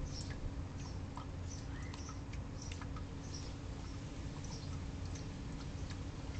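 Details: Bird bath scene of house sparrows bathing while a juvenile common grackle interrupts; brief bright chirps and one short rising note come in loose bursts above constant low hum and splashes.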